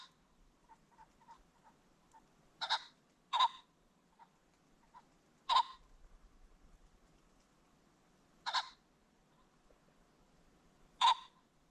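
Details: Ring-necked pheasant on a creek bottom at sunset, repeatedly giving loud rasping squawks, five bursts a few seconds apart, with soft clucking notes in between.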